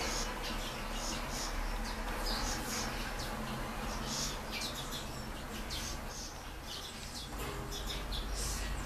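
A grey singer finch and serin hybrid sings a quick run of high, thin chirps and twitters over a steady low hum.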